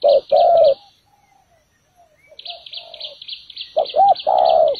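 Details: Trap-decoy spotted dove giving a loud short-long coo, a quiet gap with soft murmured notes, then more coos under a buzzy pulsing trill from another creature.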